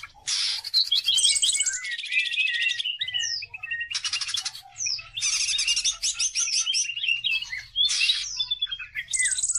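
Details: Greater green leafbird singing hard as a training lure: loud bursts of rapid, harsh chatter alternating with clear whistled up-slurs, the phrases spaced by short gaps.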